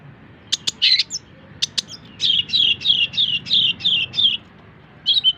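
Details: Long-tailed shrike song used as tutor material for other songbirds: a couple of sharp clicks, then a run of about eight rapid, chattering buzzy notes high in pitch, with a short final burst after a pause.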